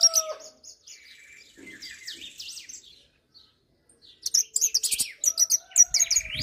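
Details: Hooded siskin, called jilguero argentino: a twittering, warbled song that opens with high chips and buzzy trills, fades to near silence for about a second, then returns with rapid sharp notes and rattles.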